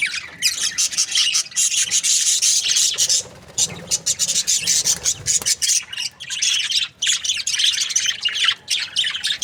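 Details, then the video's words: Budgerigar breeding pairs give a continuous, rasping stream of high chirps and chatter from many birds at once, barely pausing, with a brief softer patch midway. "Amazing budgie chirping sound | breeding pairs"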